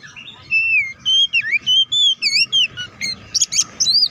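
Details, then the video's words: Oriental magpie-robin song used to stir rival birds into singing, a run of bright whistled phrases, some slurred downward, others looping, ending with higher sharp notes, over a faint low background hum. "KACER GACOR NGEPLONG TARUNG KONSLET BUKA PARU❗PALING AMPUH BUAT PANCINGAN KACER AGAR CEPAT EMOSI!"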